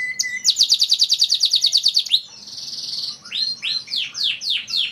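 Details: Canary singing a master song meant to make other canaries sing: a brief steady whistle, then a fast trill of bright repeated notes for about two seconds, a buzzy rattle, and finally a run of downward-sweeping whistled notes.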